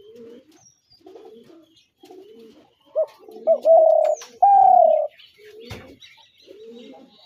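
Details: Spotted dove phrase: quiet soft notes, a short sharp note, then two loud extended coos, the last pitched higher and sliding down, amid faint background cooing.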